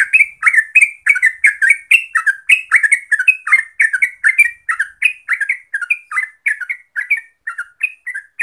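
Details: A Yellow-vented Bulbul, known locally as terucuk, in lure audio to get birds singing nonstop: loud, dense, chattering bursts of slurred whistles that keep running without pause.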